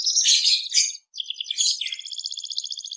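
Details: Short burst of canary song with dense, loud warbling notes, a brief gap, then a rapid even trill.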